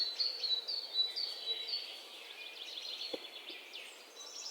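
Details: High, thin bird chirps and trills overlap in a busy chorus, softer and more distant, with steady background hiss and a single brief low knock near the three-second mark.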